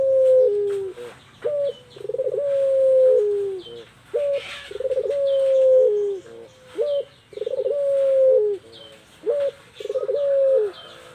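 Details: Female puter pelung, an Island collared dove, used to lure males: low, rolling coos, each opening with a quick stuttered burst, then a long steady note that drops slightly at the end, repeated about every two seconds.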